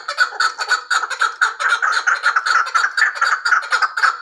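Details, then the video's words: Hybrid chukar partridge delivering loud, rasping clucks in quick succession, about two each second, forming a steady pulsing chatter. "Кабки гибрид"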